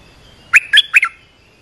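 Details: Olive-winged bulbul giving a short three-note bubbly phrase, chirpy and slightly squawky, used to train young and mute birds and to call in wild birds.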